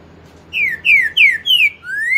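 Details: Green-winged saltator, 'pantaneiro 4 nota boi' song type: a run of four bright descending whistles, then a drawn-out upward-sliding whistle that is cut short at the end.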